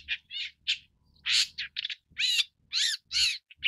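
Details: Long-tailed Shrike (Lanius schach) uttering loud, rasping, nasal calls of varied length at an irregular pace, some drawn-out and grating, others short and clipped.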